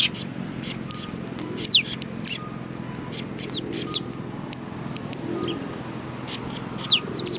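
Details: Several sparrows at a Tenmangu shrine on 1 March 2020 give scattered bright chirps and quick descending notes in small bursts, over a low rumble of distant traffic.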